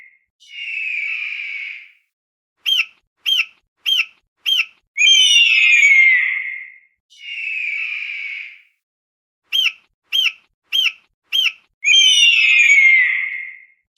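An eagle gives a drawn-out whistle, five sharp piping notes about half a second apart, then a long, harsh, downslurred scream. The sequence plays twice.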